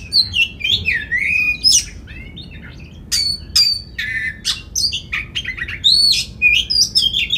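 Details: Oriental magpie-robin in full, steady song, used as a lure to make other magpie-robins sing their whole repertoire and fan their tails; loud varied high whistles, rising slurs and harsh scratchy bursts, with short pauses between phrases.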